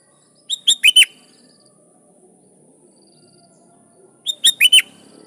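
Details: Sooty-headed bulbul song used to call rivals, answered by wild bulbuls; two matching phrases of four quick, liquid notes about four seconds apart, each ending with a falling note.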